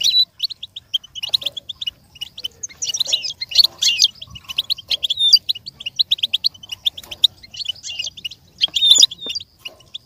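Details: Goldfinch singing as a pattern for a goldfinch to learn. Long rapid strings of high chirps swell into bright, tinkling, trilled flourishes, then ease back to twittering.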